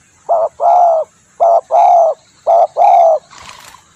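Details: Spotted dove lure call with three loud coo pairs, a quick short note then a long full coo, ending in a soft rustling noise.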